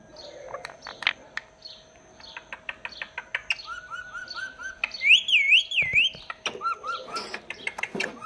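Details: A pet talking parrot produces sharp chirps, a run of short repeated warbled notes, and loud swooping wavy whistles rising and falling, with a faint steady hum behind.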